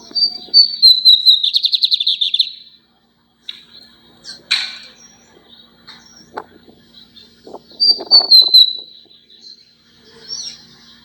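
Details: A lined seedeater, kept as a pet, sings repeatedly: high whistles run into a buzzy pulsed trill. Clicks and knocking sounds fill the middle before another whistled phrase and a short high note.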